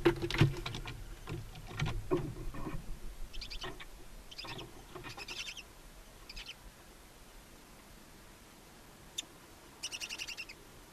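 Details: Two newly hatched barn owl chicks alone in a nest box on a chimney in Ságvár, Hungary, on 23 April 2024. After a few low knocks and scuffles they give short, breathy hisses every second or so, then a longer wheezing hiss.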